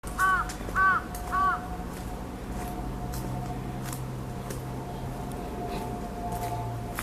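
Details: Crow calling somewhat far off around 1:30 pm on 14 June 2014, a cry held to warn of an earthquake; three short nasal caws in quick succession open, then steady hum and background noise.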